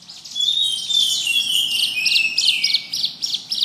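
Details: Bar-winged prinia gives a busy warble of high, sharp chirps and thin down-slurred whistles, packed closely together.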